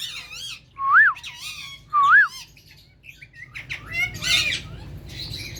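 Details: Pet ringneck parrot giving raspy squawks and two loud, clear whistled notes that rise and fall like arches about a second apart, followed by quieter harsh chatter and squeaks.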